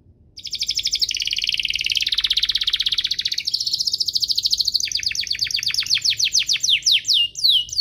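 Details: Canary (Serinus canaria domestica) training song for young birds and to spur singing: a long continuous high rolling trill shifting pitch in steps, turning into rapid falling whistles near the end.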